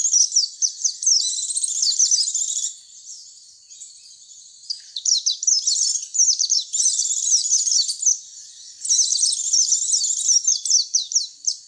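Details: Sound used to lure white-eyes: three long bouts of quick, high, jumbled twittering, with quieter pauses of about two seconds between them.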